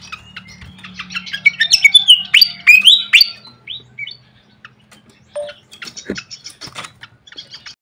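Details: Lure sound of a flycatcher meant to draw a reaction: quick high twittering and sharp chirps in dense runs, building to loud squeaky rising and falling notes, then a pause and renewed scattered chirps over a faint low hum.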